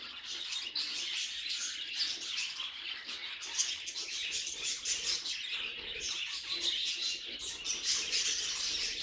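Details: Busy budgerigar noises from pet birds: fast overlapping tweets and scratchy warbles, continuous and lively, with short bright chirps popping out every fraction of a second.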